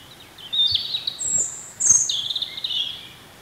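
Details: Wild European robin in spring singing high, thin warbled phrases: a sliding trill, a very high drawn-out whistle, then a jangling, twittering run, with faint low background rumble.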